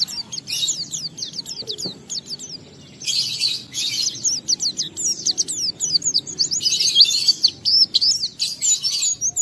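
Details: Oriental white-eye (pleci) singing ngalas style, played to make other white-eyes sing: fast high-pitched twittering of thin slurred whistles mixed with buzzy chattered passages, continuous and busy throughout.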